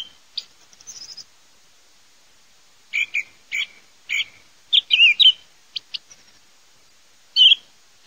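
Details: Song thrush (Turdus philomelos) singing: short, separate bright phrases of sharp chirps and whistled notes, some clicking and some warbled, spaced by brief pauses against a quiet, still background.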